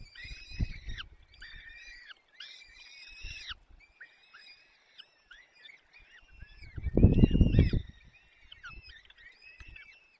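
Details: At a Peregrine falcon nest in the Barycz Valley on 30 April 2020, the male feeds bites of prey to the chicks. Loud arched, squealing calls repeat rapidly in clusters, with a heavy low rumble of movement near the middle.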